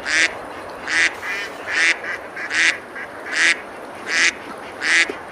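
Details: Ducks feeding and splashing on a river in the medieval village of Besalú, Girona, Spain, summer day. A steady run of seven rasping quacks, one roughly every 0.8 seconds, with soft water noise beneath.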